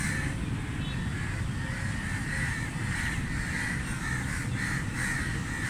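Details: Crows at feeding make drawn-out, hoarse caws, smeared and partly overlapping, repeating roughly every half second to second, half buried in strong continuous low-pitched rumble.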